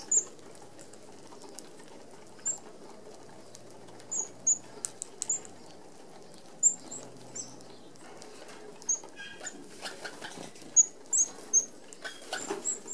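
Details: A flock of red-browed finches feeding at an open aviary feeder in Australia gives very high, thin, piercing 'seee' notes, singly and in quick pairs, with soft rustling and patter underneath.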